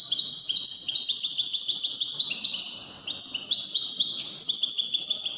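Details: European goldfinch pouring out Moroccan Wedani-style song, an unbroken stream of rapid, high, metallic twitters and trills with small stepwise shifts in pitch.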